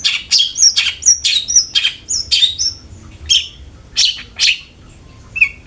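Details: Long-tailed shrike singing as a lure for caged birds: a quick series of scratchy notes mixed with clear whistled slurs, then a pause before a few louder rasping notes and a short level whistle at the end.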